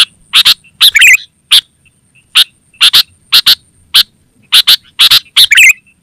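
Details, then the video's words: Sooty-headed bulbul calling actively, meant to attract wild birds and to teach caged bulbuls: paired harsh chip notes at uneven intervals, mixed with short gurgling warbled flourishes, and a thin continuous high tone behind. "Suara Burung KUTILANG GACOR Terbaik Untuk Panggilan dan Masteran"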